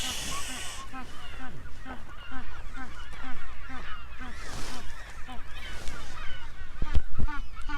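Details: Magellanic penguins in a nesting colony on Magdalena Island, Magallanes region, Chile, in January 2023 fill the air with loud, donkey-like trumpeting. Many birds bray at once in quick, pulsing, overlapping phrases, with some wind in the background.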